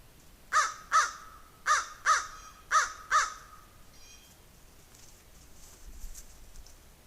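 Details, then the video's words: Crow making noise while a squirrel goes after a raven: six harsh caws delivered in pairs, roughly half a second apart, followed by quieter background rustling. "Crow is making noise"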